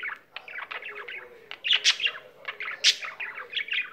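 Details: Pet budgerigar singing at length in a home: dense chattering warble of rapid clicks, buzzy notes and squeaky chirps, with louder harsh bursts standing out.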